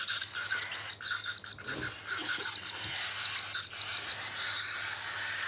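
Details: Cockatiel being hand fed, giving a fast, uneven run of short high chirps, many per second, with a faint lower rasping layer underneath and quiet room noise.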